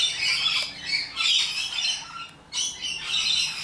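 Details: Wild rainbow lorikeets in Australia, nectar-feeding social parrots, giving loud harsh screeching squawks in overlapping bursts, with a brief lull near the middle before the raucous chorus resumes.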